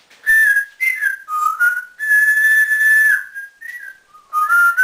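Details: Indoor pet African grey parrot, a male kept in a cage, whistles a nearly continuous tune of clear slurred notes, including a long steady tone, mimicking a builder's whistle.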